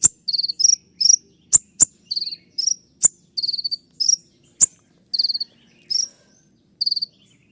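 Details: Olive-backed sunbird (kolibri ninja) with a dense 'tembakan' song: short, rapid, high buzzy trills repeated about every half second, broken by single sharp ticks.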